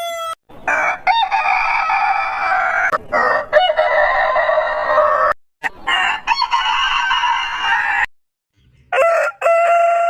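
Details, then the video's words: Rooster crowing, harsh and raspy. Loud, noisy crow phrases are broken by brief clicks and short gaps. A cleaner ringing crow starts near the end. "Suara Ayam Berkokok Panjang Ayam Jantan Berkokok Rooster Crowing Rooster Sound"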